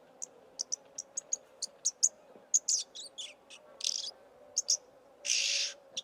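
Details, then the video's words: Oxpecker, known in Somali as jirri, from Somali wildlife: a string of short, sharp, very high chirps in an uneven rhythm, a few rasping notes, and one longer harsh hissing burst near the end over a low steady hum. "Jirri | oxpecker"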